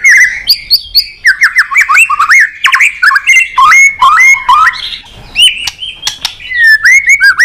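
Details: Excited white-rumped shama pouring out a long varied song, voice switching constantly: rapid chattering, looping whistles and sharp clicks run together almost without pause.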